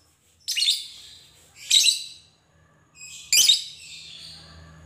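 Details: Fighter lovebird, used as a lure to provoke other lovebirds to sing: three separate harsh, high screechy bursts about a second apart, with quiet gaps and faint low hum.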